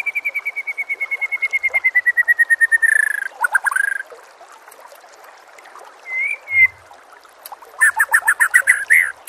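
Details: Master training song of the White-rumped shama: a long run of evenly repeated whistled notes that slowly fall in pitch and speed up, then a pause, a slurred whistle and dense harsh chattering phrases.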